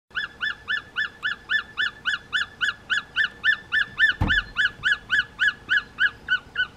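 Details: A juvenile martial eagle near Letaba in May 2021 calls while eating prey in the shade of upper tree branches: a steady run of about twenty ringing, slightly downslurred yelps, three or four a second, with one dull thump midway.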